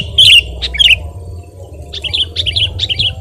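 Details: Sooty-headed bulbul, recorded singing actively for use in training and luring other birds: short bursts of sharp, twisting high notes, then a lull, then three more quick warbled phrases, with a faint low hum behind.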